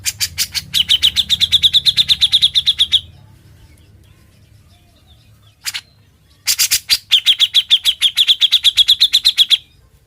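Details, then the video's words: Grey-cheeked bulbul (cucak jenggot) in full chattering song used as a master recording for tutoring other birds: long fast trills of repeated notes around a steady mid-high pitch, broken by a pause and a single note. "Suara burung cucak jenggot, gacor & NGEBREN Buat MASTERAN"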